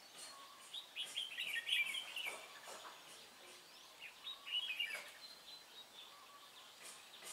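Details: Decoy red-whiskered bulbul during bird trapping, recorded 23 March 2018: a rapid chattering run of sharp whistled notes, then a second warbled burst after a pause, over a steady outdoor hiss.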